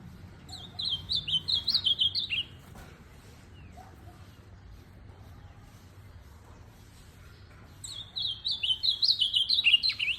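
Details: Ultramarine grosbeak, a tournament-style bird: two rich, warbled phrases, each about two seconds long and made of quick up-and-down whistled notes, separated by a long quiet gap with faint background noise.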